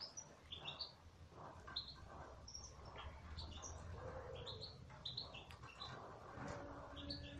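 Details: A flock of aviary goldfinches keeps up a run of short, sweet, high chirps, many slurred and some in quick doublets, over a constant low rumble and faint mid-pitched tones.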